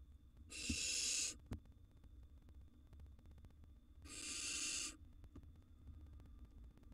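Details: Wild young barn owls in a monitored nest box, siblings competing for food as the younger outsmarts its older brother; two harsh, broadband hissing screeches, each just under a second long, about three and a half seconds apart, with quiet low rumble between.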